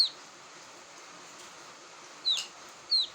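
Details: Quail chick calling, a sound used to lure birds: thin, high, quickly falling peeps, one at the start and two more about half a second apart near the end, over quiet steady background hiss.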